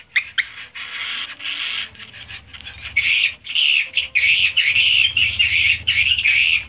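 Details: Inside a swiftlet house, raw recording: several short buzzy bursts, a pause with faint thin whistles, then swelling waves of dense, shrill twittering from many swiftlets.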